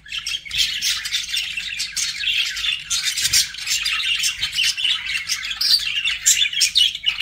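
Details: Budgerigars kept as pets chirp continuously, a busy, twittering warble of quick high notes and scratchy squeaks running with almost no break.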